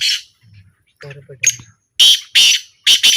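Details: Calling trial of a black francolin: after a short stretch of murmured human speech, three loud raspy bursts follow close together, the last one doubled.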